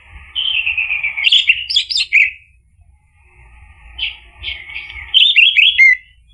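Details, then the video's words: Orange-headed thrush, called anis merah, played to prompt a male to sing; two phrases of descending whistles and fast warbles, pausing briefly in the middle. "PANCINGAN ANIS MERAH agar NYAUT jadi BUNYI GACOR ikut NGEPLONG"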